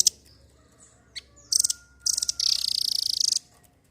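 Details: Velvet-fronted nuthatch giving loud, very high, rapid staccato trills: short bursts, then a long even rattle of about twenty quick notes, with a thin whistled tone faintly behind.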